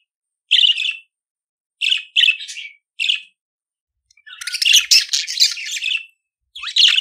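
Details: Budgerigar song for teaching pet budgerigars to sing: short raspy chirps around the middle-high range, then a longer dense burst of scratchy warbling and a final buzzy phrase, with clean silence between phrases.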